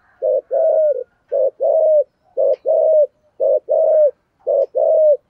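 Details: Spotted dove giving its 'thổ sấm' voice in 'thúc gù' style cooing: deep paired phrases, a short clipped coo then a longer slurred one, repeated about once a second, five pairs in a row.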